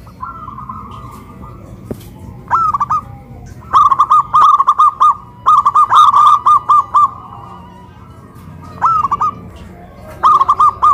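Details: Local zebra doves singing vigorously after being hoisted on a pole in Kuningan, West Java, a big-voiced bird against a crystal-voiced one. Repeated phrases of fast, bubbling coo notes come in bursts separated by short pauses.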